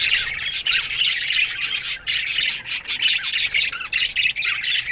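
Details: Morning chatter of a budgerigar colony in an aviary: rapid high chirps and bright warbled notes pour out in pulsing bursts, with short rising and falling whistles among the busy flock noise.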